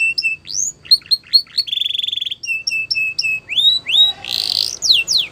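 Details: Varied canary song mixing short upswept chirps, a level buzzing trill, rising whistled notes and a harsh rasping burst, delivered in quick changing phrases.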